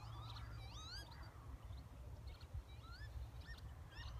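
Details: Lapwings in a field proposed for gravel extraction give wheezy, slurred 'pee-wit' whistles that sweep up then down, several in quick succession, over a steady low rumble of wind.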